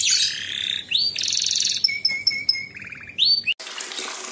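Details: Canary singing a master song meant for young birds: buzzy rolls, a run of clear steady whistles, a short trill and an upward slur, followed by a rushing, water-like noise.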